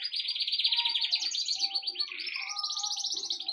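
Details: Birds, possibly pet parrots or lovebirds, giving dense high chirps and twitters that run continuously, rapid and rather irregular, with a few lower whistled notes beneath.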